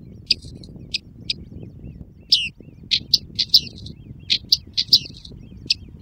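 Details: Great crested grebe with chicks at the Tovačov ponds, Czech Republic, recorded 2013–2014; thin, high peeping notes, about a dozen short separate chirps at uneven intervals over six seconds, above a low rumbling background.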